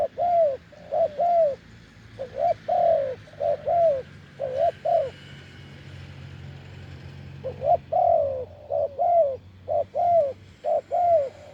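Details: Wild spotted dove with a deep voice, recorded during branch-decoy luring, giving paired coos, a short note then a longer falling one, in two bursts separated by a pause, over a low rumbling hum.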